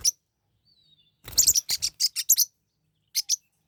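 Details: Forpus parrotlets kept as pets, fighting: a short squeak, then a tight run of sharp, high, scratchy chirps in quick succession, followed by a pause and one last brief double chirp.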